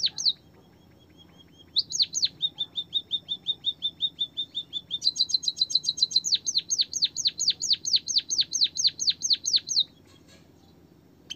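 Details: White-headed munia song, a training recording meant to prompt quiet birds to sing: a few high chirps, a long flat thin whistle with soft ticks, then rapid runs of loud downslurred chirps repeated several times a second.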